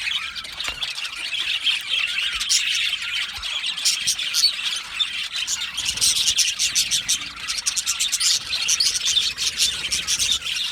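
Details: Aviary colony of Australian budgerigars, busy overlapping chirping and warbling that grows denser and sharper in the second half, with crisp ticking notes throughout.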